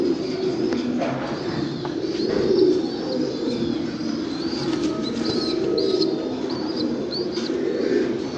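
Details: Fancy pigeons, a domestic breed form of the rock dove, give soft low rolling coos over a continuous flock murmur, with wing flaps and some thin high chirps.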